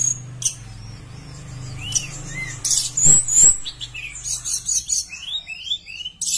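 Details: Javan bush lark singing strongly, a lure recording meant to prompt other larks to sing: scattered thin whistles and slurred downward notes, then a busier burst of high chirps and trills over a low background hum.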